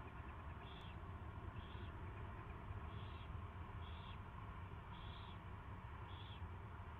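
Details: Owl at its first feeding, recorded 24 February 2016 at 2:15 PM: six short, raspy high calls spaced about a second apart over a steady low hum.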